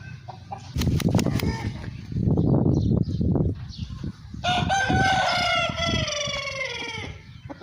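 An Aseel rooster gives one long, hoarse, drawn-out crow that slowly falls in pitch, after a few seconds of low rustling, thumping and clucking.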